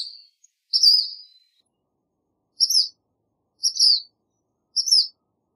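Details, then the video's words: High, thin black phoebe song: one longer slurred note, then three short, sharp chirps about a second apart, clear and isolated with no other sounds present. "Black Phoebe Song! Black Phoebe Call! Black Phoebe Sound! - Mosquero Negro Canto -Sayornis Nigricans"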